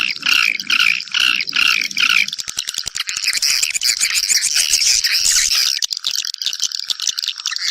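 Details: Swiftlets calling mates back to nest. A lower buzzing, pulsed sound is heard for the first two seconds, then a busy wall of high clicking chirps and twitters takes over.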